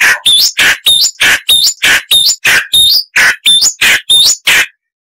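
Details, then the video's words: Chalk-browed mockingbird giving harsh song, used as a tutor recording for cage birds: loud raspy bursts about three per second, each topped by a thin whistled note, then abrupt silence. "Masteran Burung Luar Negeri Suara Kasar - Chalk-browed Mockingbird (Mimus saturnin)"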